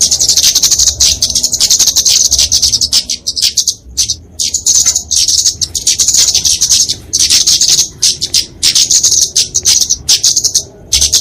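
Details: Kemade flowerpecker in fighting song, used to train and lure small birds: long runs of dense, thin, very high twittering, broken by brief pauses every couple of seconds.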